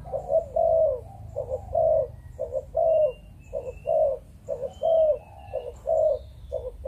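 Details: Spotted dove from a Malaysian breeding line giving a run of mellow coos, short stuttered notes alternating with longer sustained ones, regular and rhythmic, with faint high chirps of other birds in the background.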